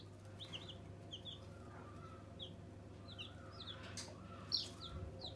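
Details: Faint peeping of newborn pet chicks: sparse short high cheeps, with a low hum and background rustle.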